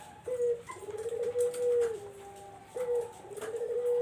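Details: Barbary dove cooing, used as a lure for zebra doves: two low, rolling coos, each opening with a short clipped note and then drawn out into a long, steady, slightly wavering hum, with a faint thin tone held above.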